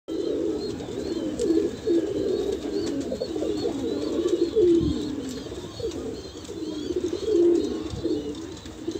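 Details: Banarasi Kalsera pigeons offered for sale in Allahabad, India, cooing together indoors: low, rolling coos overlap in a steady murmur, with stronger bursts around every two to three seconds and faint higher chirps above.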